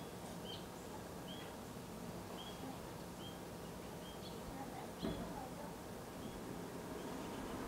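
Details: Common buzzard nestlings, close to fledging, in 2022, give thin, high, short whistled notes about once a second over steady rushing background noise with a single knock.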